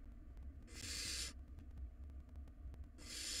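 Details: Wild barn owl nestlings in a monitored nest box, tussling over a very large rodent: a harsh, breathy hissing screech lasting over half a second, then another starting near the end, over a low steady hum.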